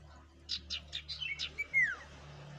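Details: Common Iora (sirtu) delivering five or six evenly spaced buzzy chirps followed by a loud whistled note that drops steeply, over a steady low-pitched hum.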